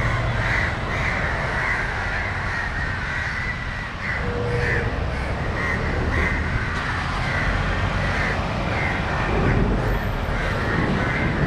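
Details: Crows in Matara, Sri Lanka, shouting at a dog to protect a crow struggling on the ground, one flying over the dog again and again. A long run of harsh, uneven caws sounds over background traffic hum.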